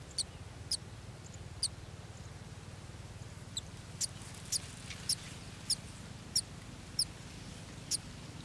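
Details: Golden sparrow chicks waiting to be fed, giving short, very high, thin peeps spaced about half a second apart and repeated steadily over a low background rumble.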